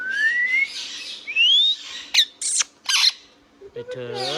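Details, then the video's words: Indian ringneck parrot kept as a pet, talking: long rising whistles, then loud clipped squawks and a final buzzy, ringing phrase with many layered tones. "Ringneck Parrot Talking Sound video | Indian Ringneck parrot natural sound"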